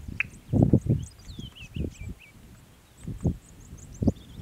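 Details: Solitary male Heuglin's bustard displaying near the road southwest of Sala gate, Tsavo East, at 8:53 am, possibly after recent rain, gives deep, muffled booming thuds about a second apart; faint small-bird chirps behind.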